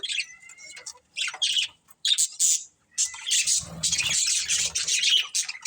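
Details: Breeding pair of budgerigars chattering, starting with a thin whistled note under scattered chirps, then building into a dense scratchy high warble.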